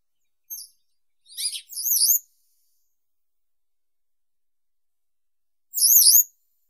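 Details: Western yellow wagtail (Motacilla flava) giving a short burst of high chirps followed by wavering, double-looped whistled notes. A single similar wavy call comes four seconds later.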